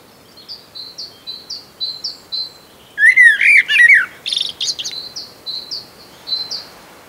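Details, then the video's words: Common blackbird foraging on the ground in early spring on Sotra, west of Bergen, Norway, giving quiet twittering song; a short scratchy warbled burst sits amid a repeated high thin two-note phrase from another background songbird. "Blackbird switches to quiet song while hunting for food"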